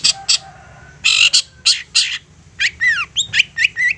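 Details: Persistent provoking song of a long-tailed shrike, used to stir other shrikes into replying. Two short high notes, then harsh broad grating bursts, then a lively string of whistled notes sweeping down and up, over a low background rumble.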